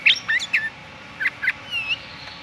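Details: A sooty-headed bulbul sings in the morning, giving a few loud, liquid whistled notes that slur downward, followed by a smoother rising-then-falling whistle.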